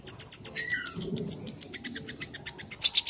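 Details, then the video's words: Very vocal tame scaly-breasted munia giving a continuous fast ticking chatter of high clicks, with a brief lower whistled slur and a louder squeaky flourish at the close. "Emprit Gacor Ceplekan. Burung emprit jinak dan gacor"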